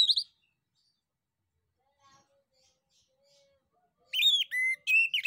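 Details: Male orange-headed thrush singing loudly as a lure to get other orange-headed thrushes and other birds to answer: one short high note burst, a long silence, then a rapid series of loud high whistled, slurred phrases near the end.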